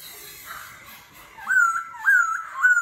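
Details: Continuously voice-changing forest-style song of a laughingthrush in competitive singing ('kéo thuốc lào'): soft faint notes, then three loud upward-slurred whistles about half a second apart.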